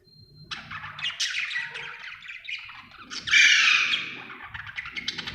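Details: Happy pet budgerigar chirping: a dense run of bright, scratchy warbles and squeaky high notes, swelling to a loud harsh chatter midway, then continuing in quick broken twitters.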